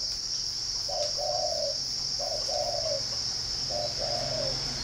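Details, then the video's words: Spotted dove at a dove-keeping garden in Ba Vì district, Hanoi, northern Vietnam, giving three soft low cooing phrases, each a short note followed by a longer, slightly falling coo, against a steady high insect drone. "chim cu gáy"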